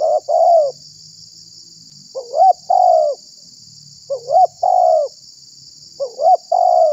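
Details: Spotted dove lure call for attracting wild doves and stirring up rivals: phrases of two short rising notes then a long falling coo, repeated roughly every two seconds, four times, above a constant high hiss.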